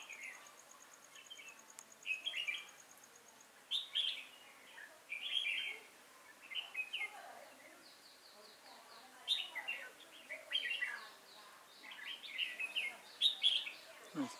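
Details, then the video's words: Trap decoy red-whiskered bulbul, 5 October 2018, singing actively to attract wild bulbuls; repeated short, bright warbled phrases every second or two across fourteen seconds, some with sharp high openings, a faint ticking early on and a low swooping noise at the end. "Bẫy chào mào Nết chơi siêng cánh lăng xăng ngày 5/10/2018"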